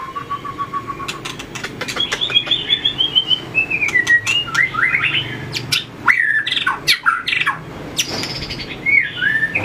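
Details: White-rumped shama in fighting-song training, tail-flicking and running along its perch: a low steady whistle, then a descending string of bright notes and rapid slurred phrases amid frequent sharp clicks.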